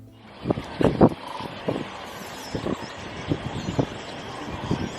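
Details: Heavy gusts of wind thump against the microphone over a low vehicle drone, with no animal calls.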